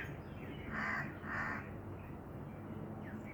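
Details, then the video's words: Two rasping, harsh notes from a black francolin, close together in quick succession, then quiet with a constant low background rumble. "BLACK FRANCOLIN VOICE کالے تیتر کی آواز"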